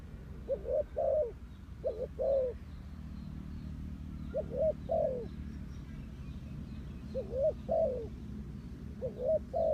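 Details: Spotted dove kept as a decoy to draw in wild doves, giving groups of two or three soft hooting coos at irregular intervals, with faint distant bird chirps and a low mechanical hum.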